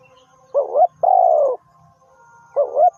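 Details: Trapping decoy spotted dove coos once in full, a quick two-part note and then a sustained, gently falling hoarse coo, and the next phrase starts after a short pause.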